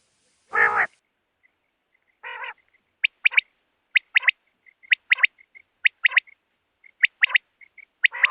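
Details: Two rough buzzy nasal notes lead into a steady series of crisp three-note quail phrases repeated about every second, with faint chirps in between.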